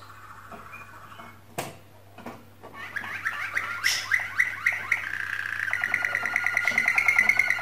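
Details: Singing canary for mating stimulation: scattered clicks and knocks at first, then trilled notes building into a dense, fast, steady rolling tour, with a low steady hum underneath.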